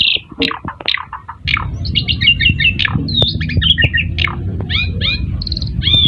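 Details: Asian pied starling lure song for making other birds reply: dense chattering jumble of squawks, chips and twangy notes, varied and fast, over a steady low background rumble.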